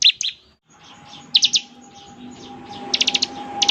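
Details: Actively singing bar-winged prinia (ciblek) in the ngebren style: scattered high, sharp chirps in short clusters, ending with a quick run of four or five notes, over a faint steady mid tone.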